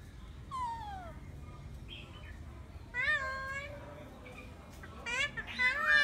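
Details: Eclectus parrot calls: a descending whistled note, then nasal, meow-like harmonic calls in spaced bursts, ending in a quick cluster of rising and falling squawks.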